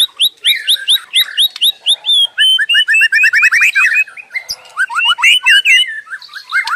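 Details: White-rumped shama pouring out 'gacor' song without stopping: crisp high repeated notes, a descending run of quick slurred whistles, then varied loud phrases in bursts.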